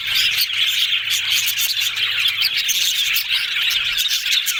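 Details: Cheerful yellow budgies chatter nonstop, giving shrill chirps and squeaky warbles layered thickly together, with bursts of clicking and brighter high squeals.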